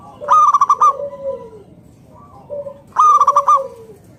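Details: A local zebra dove sings to coax other doves into calling. Two quick rattling strings of about five staccato coos come roughly three seconds apart, each trailed by a drawn-out, lower, falling coo.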